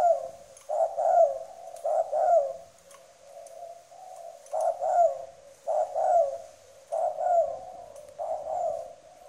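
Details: Spotted dove kept as a decoy bird, giving a strong, firm cooing: low, hoarse coo phrases in short bursts of two or three notes, repeated every second or so with brief pauses, with faint clicks in the background.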